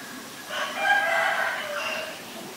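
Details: White-vented myna, Ubon Ratchathani, Thailand, 9 March 2022: one drawn-out, harsh and buzzy call, swelling and then fading over about one and a half seconds against soft background hiss.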